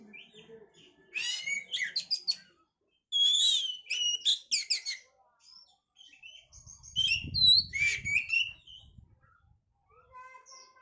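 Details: Song of an oriental magpie-robin (kacer), used to raise breeding condition: varied sweet whistled phrases mixed with harsh buzzy notes and quick chatters, with a brief low rumble in the background.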